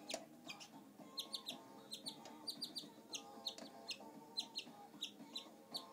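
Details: Shy pet male canary giving quick, high, clipped chirps in short clusters, with faint steady mid-pitched tones and low hum in the background.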